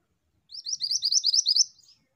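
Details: Vocal female Pied Bushchat delivering a rapid run of about nine high, bright chirps, each slurred upward, evenly spaced and steady in loudness, with no other sounds.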